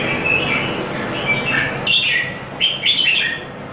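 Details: Red-whiskered bulbul at a songbird competition in Singapore, giving soft warbled notes, then louder, sharper whistled phrases with quick upward flicks in the final two seconds, against constant low noise.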